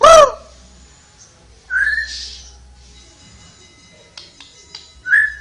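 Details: Flowerpecker singing vigorously: a loud, clear swooping whistle opens, then a couple of bright, short whistled notes spaced a few seconds apart, with light clicks between.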